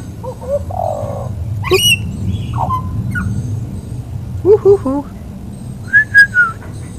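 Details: Friendly wild butcherbird calling out for its dinner at a home, singing varied fluty whistles, some rising, some falling, with short warbled phrases, over steady low background noise, music, and a man urging it to keep singing.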